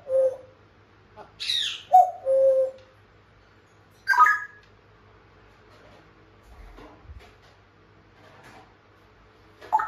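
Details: African grey parrot indoors, a pet talking like a human: speech-like syllables and whistled rising tones in short separate bursts, with quiet pauses and a faint low hum in the room.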